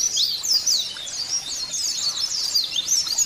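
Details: Dense, high warbling white-eye song used to prompt caged white-eyes to sing. Quick, slurred chirps overlap continuously at fairly even volume over a hissy background.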